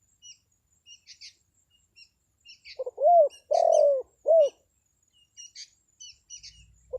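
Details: Spotted dove lure call to draw wild birds. A single clear phrase of low, throaty coos with a long middle note, set among quiet high chirps and ticks of small songbirds.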